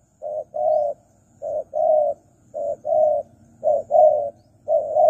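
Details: Wild dove lure recording of a spotted dove: five pairs of deep, even coos, a brief note then a sustained one, repeated about once a second against a soft low hum.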